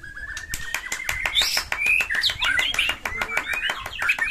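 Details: White-rumped shama in fighting mood, rich varied song: a rising whistled lead-in followed by rapid twittering, buzzy notes and whistles, with a steady series of sharp clicks beating through the whole passage.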